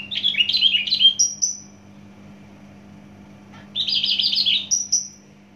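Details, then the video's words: Javan bush lark of Java, known for loud, speedy song, delivers jumbled twittering phrases that end in thin, high drawn-out whistles, then repeats the pattern after a pause. "branjangan javanica asli jawa volume dan spedd edan mantap"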